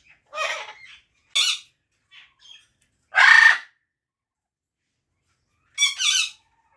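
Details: Parrot making short harsh squawks and chattering notes, four main bursts spread over several seconds with small soft chirps between them, otherwise quiet.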